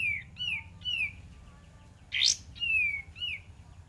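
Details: Olive-winged bulbul singing as a lure: a run of bright downslurred whistles, roughly two a second, broken by one harsher burst, with low background hum.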